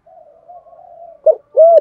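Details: Spotted dove calling as a decoy for wild doves: a long, faint, level hum followed by a short rough note and one loud arched coo.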